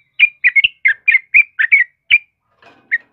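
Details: Short burst of yellow-vented bulbul song for training caged birds: about nine rich, gurgling chirps in quick succession, a brief pause with a faint rustle, then one last note.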